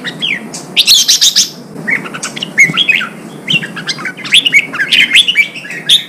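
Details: Wild-caught red-whiskered bulbul singing during training for singing contests: bright whistled phrases that rise and fall, with a burst of high rapid chirps near the start and quick fluty notes repeated through the clip.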